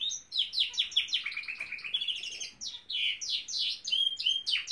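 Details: Norwich canary singing a rapid run of descending chirps flowing into warbled trills and clear sweeping notes, without a break.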